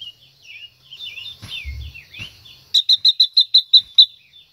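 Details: Female silver-eared mesia, singing to excite a male, follows soft mixed twittering with a fast run of eight loud, ringing high notes at an even pace.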